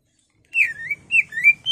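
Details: Excited caged greater green leafbird, its song used to provoke singing: a short phrase of smooth, sliding whistles that dip and rise in pitch, three or four connected notes.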